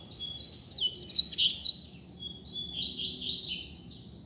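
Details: Double-collared seedeater loose on a street giving a teacher song: sharp, rapid, high twittering with piercing whistled notes, followed by a slightly softer, flowing phrase, over a faint low hum.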